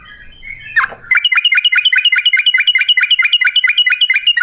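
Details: Yellow-vented bulbul in lure material for prompting other bulbuls to sing: after a brief soft rustle, a steady rapid series of sharp, downward-flicked notes runs on, about four to five every second.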